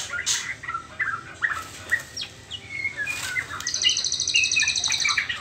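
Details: Young white-rumped shama in its spotted trotol juvenile stage, before the pastol stage, giving short whistled notes and slurred chirps, then a fast, high, even trill near the end, with a few sharp broadband clicks.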